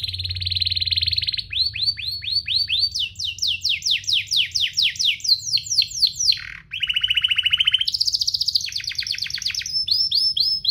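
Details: Canary song meant for tutoring young canaries: a sustained rapid trill, then tours of repeated downward-sweeping whistles at varying pitches, a dipping note, and further fast rolled trills, continuous and loud throughout.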